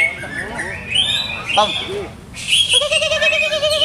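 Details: Caged greater green leafbird, its keeper still testing its setup: thin whistled notes and slurs around the upper register, then a loud burst of rapid chattering trills; lower voices of people can be heard early on.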